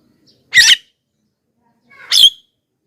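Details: Loud Javan myna calls meant to draw wild birds: two rasping, broad bursts about one and a half seconds apart, the second preceded by faint tonal notes.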